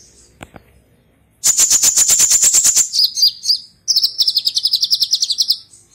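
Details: Sunbird entered in an online singing competition, from Serang, Banten, Indonesia: a fast, loud run of high, regular chirps, then a brief pause before a second rapid, slightly lower chattering trill.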